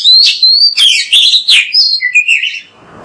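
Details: Oriental magpie-robin (kacer) singing energetically on a training recording meant to prompt kept birds to sing: loud, rich whistled phrases sliding up and down, rapid notes with sharp upsweeps, then a lower trailing warble fading into faint background hiss.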